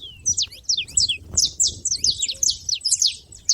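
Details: Saffron finches making noise at the feeder: crisp, high, slanted chirps in quick uneven bursts, separated by short gaps, over a soft low rumble.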